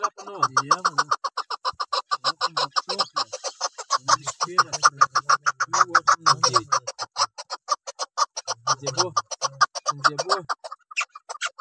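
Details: Chukar partridge giving a fast, steady series of sharp, clucking chuk notes, about two per second, alongside lower wavering tones from another source.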